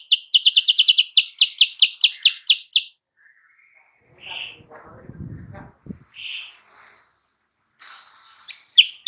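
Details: Lure song of a sooty-headed bulbul, used to make a rival bird answer at once: a rapid run of about fourteen sharp, high, falling chirps, then a gap with low rumbling noise, scattered notes and a few more chirps.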